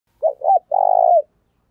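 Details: Spotted dove giving a calling coo in the deep 'thổ' voice style, played to train newly caught birds: two short throaty notes followed by a longer, steady, vibrating hoot, all low and mellow, with no other sounds.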